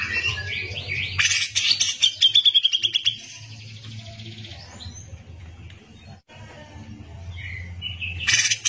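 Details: Grey-cheeked bulbul in full song, kept as a tutor bird: a loud rough burst followed by a rapid run of clipped repeated notes, then several quieter seconds with faint background hum, ending in another harsh outburst.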